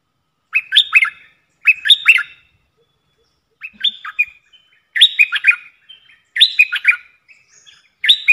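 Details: Caged red-whiskered bulbul used to lure others sings repeated bubbly, cheerful phrases of three to four quick warbling notes, about six phrases delivered roughly every second or so.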